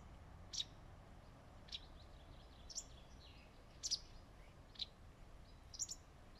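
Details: A wagtail perched on a branch in leafy shade in a forest gives short, sharp high chips, about one a second, some doubled, over a steady low background hiss.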